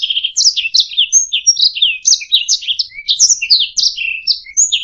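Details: Canary giving a varied song recorded for training other songbirds: a low trill opens, then quick slurred chirps, short whistles and buzzy phrases follow in a steady rapid stream, clean background.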